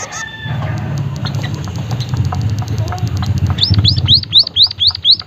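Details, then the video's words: White-headed munia (emprit haji) calling: scattered faint high chips, then a quick run of loud, hooked, upslurred whistled notes, about four per second, over a low rumbling background. "emprit kaji haji gacor suara aneh"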